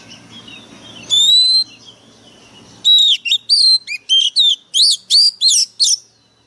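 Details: Oriental magpie-robin decoy bird in aggressive voice: one long clear whistle over low background hum, a pause, then a rapid series of about ten sharp, bouncing whistled notes.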